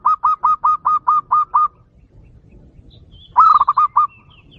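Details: Perkutut lokal, the local zebra dove: a row of eight evenly spaced, clipped coos at a steady pitch, a pause, then a rapid rolling run of five quicker notes; faint high whistles behind.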